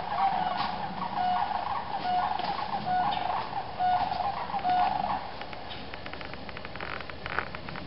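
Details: Sandhill cranes at the MacCready Preserve, Jackson County, Michigan, give loud, raucous, rolling trumpeting calls, repeated about once a second for five seconds before fading, over a steady rushing background noise.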